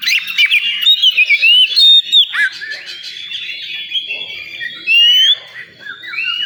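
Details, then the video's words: At a singing contest ground, an oriental magpie-robin delivers loud, clear slurred whistles and sweeping notes in an irregular, rich phrase, while further birds chatter and sing behind it. "Suara kacer di area lomba"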